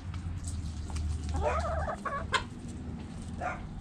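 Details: Backyard chickens, hens and roosters: a harmonic, wavering squawk of about half a second, then a brief second cluck and a fainter one near the end, over a steady low hum.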